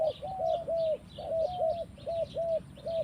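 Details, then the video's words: Spotted dove singing in the forest: clear, low, hollow cooing notes, each a short arched hoot, given in quick pairs and threes with brief gaps, over a steady chirping chorus of other small creatures higher up. "Mantap Tekukur in the forest"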